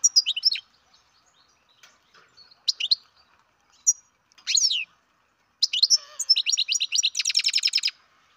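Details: Baby goldfinch from captive breeding gives scattered high chirps and slurred descending notes, then a long fast series of evenly spaced, buzzy twittering pulses.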